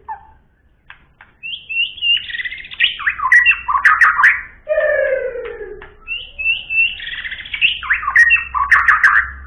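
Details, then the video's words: White-rumped shama singing a varied series of sweet whistled phrases, sharp rising notes and chattering bursts, with a falling low whistle in the middle and a faint hum beneath. "Beginilah kicauan MURAI BATU SUPER"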